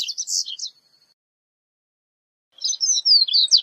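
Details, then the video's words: Double-collared Seedeater (corbatita) song in two short bursts: a quick buzzy chirping phrase ending in a thin trailing note, then after silence a series of sweet slurred whistles. "CORBATITA CANTANDO - MEDIA HORA DE CANTO DE CORBATITA"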